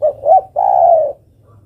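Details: Hen spotted dove calling its mate: two short hollow notes, the second rising, run straight into a sustained, gently falling coo.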